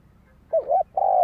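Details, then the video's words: Spotted dove used as a lure bird for wild doves; a fragment with a doubled, wavering coo and then a long steady coo that is cut off at the end. "Tiếng chim cu gáy kích mồi cực sung"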